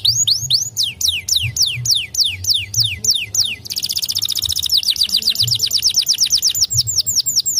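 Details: White canaries in song: repeated downward-swept whistles, then an abrupt switch to a fast rolling trill of rapid sweeps, faint low hum underneath.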